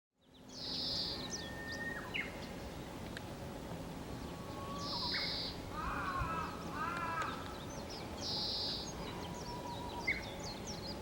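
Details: Oriental greenfinch giving a subdued call, unlike its usual 'kiri-kiri koro-koro' song, on Mizukoshi mountain, Fukuyama, Hiroshima, Japan, 6 May 2015. Buzzy, nasal high notes about half a second long, repeated, with other birds' whistles and warbling beneath.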